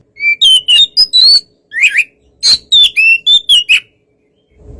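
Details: White-rumped shama provoking song: clear whistled notes, some flat and some sliding, in two quick bursts separated by a short pause.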